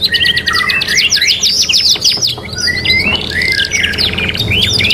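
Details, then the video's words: Caged canary ('kenari gacor') from a three-in-one training mix delivers rapid rattling trills, then swooping whistled notes and rolling phrases. A soft low background hum continues throughout. "KENARI GACOR | CANARY SINGING"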